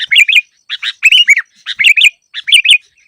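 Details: Sooty-headed bulbul song used as a lure for trapping: bright, bubbly phrases of short warbled notes, repeated in quick clusters with brief pauses between them, clear and close.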